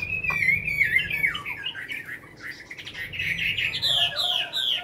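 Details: Tame caged Chinese hwamei from Hanoi, Vietnam, kept over five years, singing after feeding: an unbroken stream of slurred whistles that climb higher and grow louder near the end.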